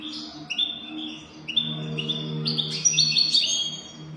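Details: European goldfinch, singing in the golden-throat style to teach young goldfinches, delivers quick chains of high tinkling notes and buzzy twitters over a steady low hum.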